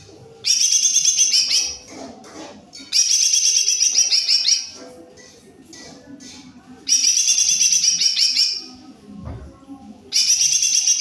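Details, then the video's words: Greater green leafbird in full song, delivering four bursts of rapid, bright, tumbling chatter, each about one and a half seconds long, at intervals of a few seconds, with quieter soft sounds between them. "Jomin full cor gacorrr"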